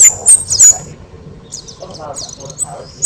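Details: Loud kemade singing as a master for other songbirds: three piercing high whistled chirps, a pause with soft high twitters, then another sharp chirp.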